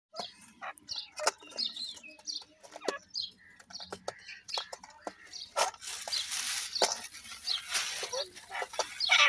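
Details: Grey francolin chicks giving short, high chirping calls in quick irregular bursts, some thin and whistled, with rustling and a broad hissing noise in the second half.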